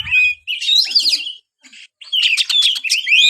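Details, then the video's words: White-rumped shama, kept as a songbird, sings a varied phrase of whistled, buzzy notes and rapid trills, broken by a short pause before a fresh burst of sharp repeated notes and slurred whistles. "buat burung Kacer anda yang malas bunyi"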